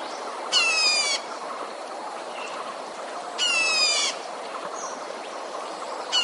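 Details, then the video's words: Red-whiskered bulbul used as a lure to trap wild birds, giving coarse buzzy bursts of about half a second, repeated every three seconds or so, with faint thin notes and continuous hiss behind. "Tiếng chim chào mào mồi"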